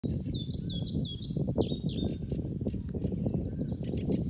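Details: A European pied flycatcher sings a bright, high, rhythmic phrase of repeated swooping two-note elements, slowing and fading after about three seconds, over a steady low rumble. Recorded 20 May 2020 in Stornäset reserve pastures, Alnö, Sweden, alongside lesser spotted woodpecker drumming, wryneck and chaffinch.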